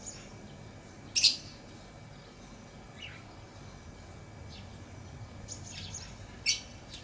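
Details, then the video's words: Two loud, shrill, harsh chirps from a lovebird several seconds apart, with a few fainter high chirps between them against a quiet background. "Lovebird Chirping Sounds"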